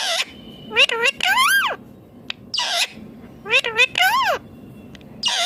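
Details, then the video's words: Talking green ringneck parrot repeating a phrase twice, each built from quick gliding, word-like notes that rise then fall, separated by raspy bursts, against a faint steady hum. "Ringneck green parrot talking awesome"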